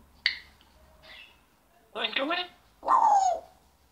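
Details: Pet African grey parrot indoors telling the household dog to get out of the living room: a sharp click, then short word-like phrases and a final descending whistled syllable.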